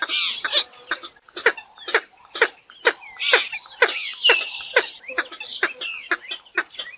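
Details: Purple swamphen calling: dense, fast clucks about two per second, sharp and harmonic, broken by a few higher squealing notes throughout.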